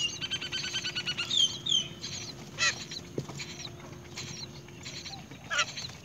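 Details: Great myna mother bringing earthworms to feed her baby: harsh chattering and squeaky calls in quick, irregular bursts, with a few thin whistled notes near the start and a steady low hum underneath.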